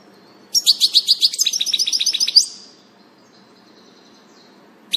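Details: European goldfinch in the wild, 6 April 2019, first of the year: a rapid series of about twenty tinkling, twittering notes over nearly two seconds, ending in a buzzy slur, then quiet.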